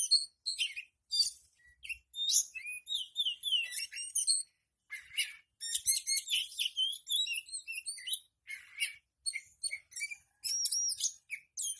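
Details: Caged oriental magpie-robin, shown fanning its tail, pouring out a rich, varied song of sweet whistles, sharp chips and buzzy trills in dense bursts with short pauses.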